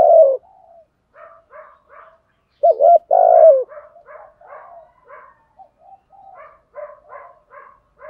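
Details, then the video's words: Decoy spotted dove calling in the morning to lure wild doves, 'thúc gù' style: a loud low coo at the start, then a stronger double coo with a drawn-out purring note, with many softer, quick coos scattered throughout. "Tiếng chim cu gáy mồi THÚC GÙ/ chim cu gáy mồi gáy gọi bổi buổi sáng"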